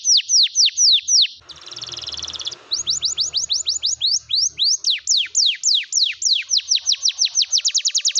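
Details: Canary song used to stimulate silent canaries to sing: fast runs of high, sharply down-slurred whistled notes, broken by a dense buzzy rattle with low rumbling, then speeding into rapid repeated notes.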